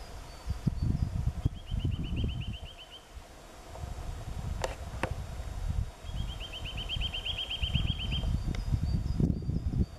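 Eurasian nuthatch sings two quick, even trills of high piping notes, each lasting about two seconds, over a heavy low rumble of wind or distant traffic and a few sharp clicks.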